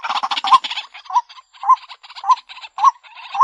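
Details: White-breasted waterhen (Amaurornis phoenicurus) used as a lure: a burst of harsh grating chatter, then evenly spaced short, low, rising hoots, roughly two per second, with softer scratchy notes between.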